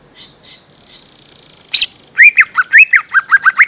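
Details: Lure song of the lesser green leafbird, used to draw young birds: a few faint chips and a short harsh burst, then a quick string of loud whistled, slurred notes repeated in a lively chattering sequence.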